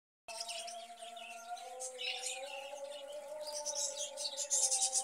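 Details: Caged budgerigars kept for breeding, giving a dense high chirping, twittering chatter that grows busier and louder toward the end, over a steady low tonal hum.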